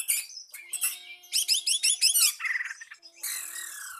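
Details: Oriental magpie-robin singing to call a rival: rapid repeated rising chirps and whistled notes, harsh buzzy bursts, with a steady low tone beneath.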